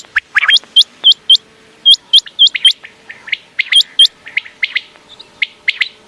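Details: Quail calls presented as a night hunting sound: crisp triplets of sharply rising high notes, repeated every second or so, alongside lower chirping notes.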